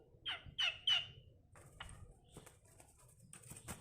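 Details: Tame, vocal Asian pied starling: three sharp downward-sliding whistles in quick succession, then scattered clicks and soft rasping notes.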